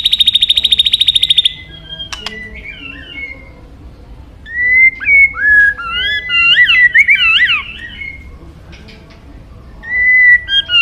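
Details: Song of a white-rumped shama, a bird much sought after by songbird keepers: a fast buzzy rattle opens, followed after a pause by clear, high, looping whistled phrases, some slurred up and down, with short gaps between.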